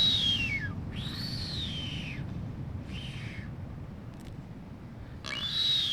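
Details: Blue-footed booby, among multiple nesting pairs on North Seymour Island, Galápagos, Ecuador, during courtship dance; long descending and arched whistles, each about a second, separated by pauses, over steady low surf or wind noise.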